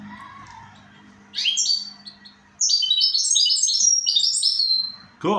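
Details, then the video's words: After a faint low murmur, a goldfinch bursts into a brief swept flourish, then a long, lively stream of high, clipped twitters, ending with a sudden sharp sweep. "Switty goldfinch."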